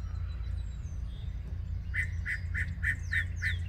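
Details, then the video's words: Yellow-breasted chat at Osborn Metropark, Huron, Ohio, on a May 2023 morning, delivering a run of six harsh, evenly spaced chuck notes, about three per second, after a faint thin whistle, with low background rumble. "Yellow Breasted Chat singing."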